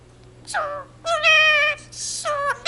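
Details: Indian ringneck parakeet at home, speaking Punjabi (the jaikara "jo bole so nihaal sat sri akal"): a falling squeak, then a long, steady, piercing drawn-out syllable and a final falling note.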